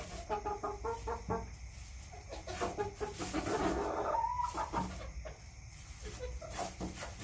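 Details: Backyard chickens give a run of quick, evenly spaced clucks, then a drawn-out nasal squawk. Scattered clucking continues over constant low background noise.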